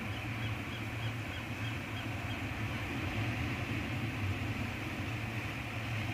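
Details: Steady low engine-like rumble and broad hiss that hold unchanged throughout, with no animal calls heard.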